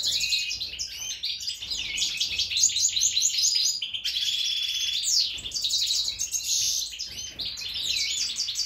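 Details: Mutation European goldfinch ready for breeding, singing a continuous, fast, liquid twittering song of tinkling trills and chirps, almost without pause, with faint low background rumble.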